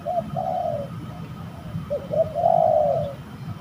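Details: Spotted doves fighting at a rather creepy bird-trapping spot: two long, rough, slightly falling coos, each preceded by short clipped notes, with a low rumble underneath.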